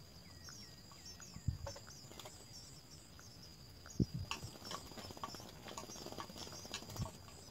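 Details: At a nest where both parents feed three house sparrow young, faint high cheeps repeat throughout, a few lower descending notes come early, and scattered knocks and taps sound in the background.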